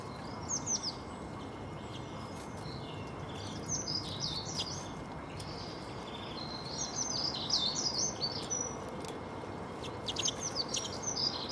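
European greenfinch singing quick bursts of high twittering, chirping notes in short phrases every second or two, over steady background hiss.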